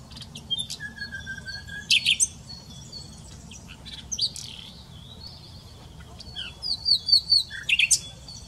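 Common nightingale singing a varied phrase: a low drawn-out whistle, sharp clicking notes, then a fast run of bright repeated chirps.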